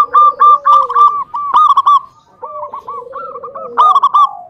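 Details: Zebra dove from local stock giving its song as a lure to get other doves calling: fast chains of clipped, bubbling notes alternating with lower descending coos, phrase after phrase.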